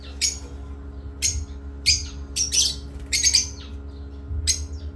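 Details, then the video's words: Parrots at play giving short, sharp chirps about once a second, some doubled into quick pairs, over a faint steady hum. "Beloved Asia Parrots and playtime with Parrots Chirping"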